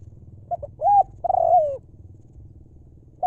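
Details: Spotted dove of wild stock, kept as a decoy, delivering one 'lio' phrase of brief notes, a rounded coo and a long falling coo. A new phrase begins at the end. Low background hum.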